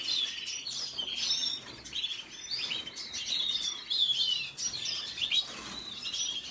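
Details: Lively red siskin twittering: sharp high chirps, quick downslurred whistles and scratchy notes strung into short phrases that rise and fade.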